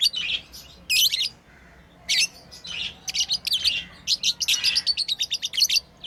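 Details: Pet lovebirds playing, uttering harsh, high chirps in irregular clusters, then a fast series of about a dozen clipped chirps in quick succession toward the end.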